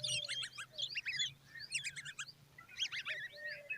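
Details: Common babbler chicks standing beside their mother: three bursts of dense, scratchy high chirps and chattering notes, about a second each, separated by short pauses, over a faint low steady hum.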